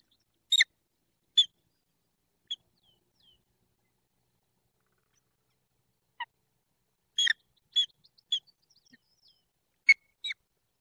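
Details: Mating pair of wild peregrine falcons at the nest, Barycz Valley, Poland, 28 February 2023. Scattered harsh chips with long quiet gaps, then a quick cluster of rasping notes.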